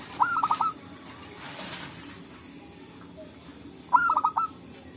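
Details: Zebra dove, local type, singing naturally in forest for use as a trapping lure: two rolling coo phrases of stuttered notes, about four seconds apart, with soft background hiss.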